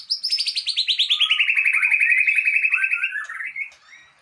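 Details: White-rumped shama (Murai Aceh) breeding stock bird singing: a long rapid trill of repeated notes sliding steadily downward from high to mid pitch, ending in a few rising whistled phrases.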